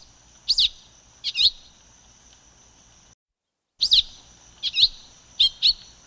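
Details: High paired chirps from a silver-beaked tanager, two bursts, a brief silent gap, then three more doubled chips, each short and sharp, with a steady thin background hiss.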